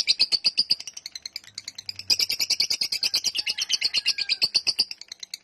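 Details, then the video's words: Lovebird giving a long 'ngekek' chatter: rapid, high, harsh chattering notes run together in a continuous stream, about eight per second, with no pause. "Love bird ngekek panjang"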